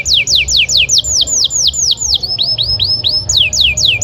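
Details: Canary in full song to stimulate other birds: a steady roll of bright falling whistles, some notes hooked and slower in the middle, then quick sharp sweeps again, loud and clear over a faint low hum.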